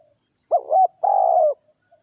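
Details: Spotted dove kept to lure wild doves, heard in a single phrase: a brief, rising, tremulous note and then a sustained, purring coo, with quiet around it.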